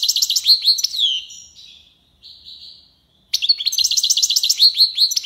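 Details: European goldfinch singing tiwawati: loud rapid liquid twittering, a descending slur, quieter buzzy notes, then another fast bright tinkling burst.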